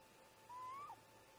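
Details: Great grey owl parent at a nest site in the early morning, about 04:25 MDT, calling while the pair "chat": a single whistled note, about half a second long, rising slightly and ending in a short downturn, over a faint steady hum.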